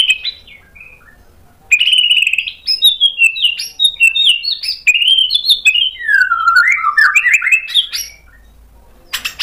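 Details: Agitated white-rumped shama, provoked into singing and displaying its mimicked repertoire, pours out a continuous, varied warble of quick whistled notes that rise and fall for about six seconds.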